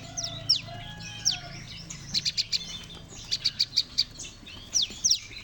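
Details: Lure recording of a Bar-winged prinia group chorus for trapping: descending high whistles open and close the sequence, separated by two runs of five or six rapid piercing chips, over a faint low hum.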